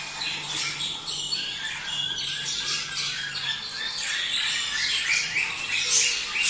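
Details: A mating call of budgerigars, played to encourage pairs to breed: a steady stream of raspy squawks and twittering notes from several birds, growing slightly louder toward the end.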